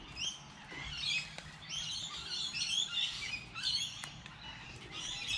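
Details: Wild birds on a light rainy day: a busy chorus of high, quick chirps and thin twitters running almost without pause, with a couple of sharp clicks standing out.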